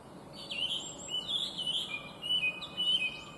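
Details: Chinese hwamei, an invasive alien species, singing a bright, beautiful and complex song: loud whistled phrases that slur up and down, sliding notes repeated in quick succession against a steady background hiss.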